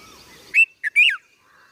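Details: Juvenile red-vented bulbul calling: three short bright chirps near the middle, the last a quick rising-falling slurred note, with quiet background before and after.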